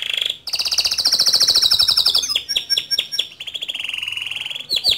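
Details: Male canary in full song, used as a tutor for young canaries: a short note, then a long rapid rolling trill, followed by sharp descending chips and a lower warbling roll ending in quick sweeps.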